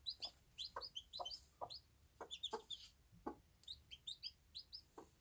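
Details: Bantam hen and chicks on a small farm: the hen's brief clucks repeat about twice a second, overlapped by bright, high chick peeps in short bursts.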